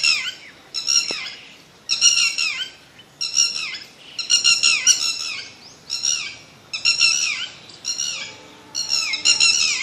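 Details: A bird repeats hoarse, buzzy squawks in short bursts roughly every second, each burst made of rapid falling slurs with a rich harmonic texture, steady and persistent throughout.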